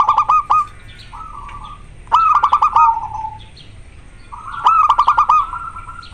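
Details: Zebra dove of the local type, in breeding condition and singing eagerly: three loud phrases about two seconds apart, each a burst of clipped notes running into a rolling, slightly falling coo, with softer trills between them.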